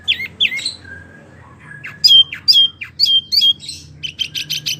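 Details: Wambi vocalizing for use as a tutor recording for oriental magpie-robins and others. Twisting whistles lead into a string of clear, downslurred notes, then a fast series of high chips.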